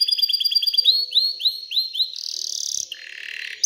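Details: Canary in excited song to stimulate females to mate and build a nest, opening with quick repeated chirps that slow into rising slurred notes, then two fast buzzing rolls.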